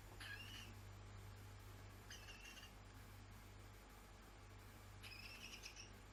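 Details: Young captive female barn owl at play, treating towels as prey and hunting them like mice: three short, thin, harmonic screechy bursts spaced a few seconds apart over steady hiss and a low room hum.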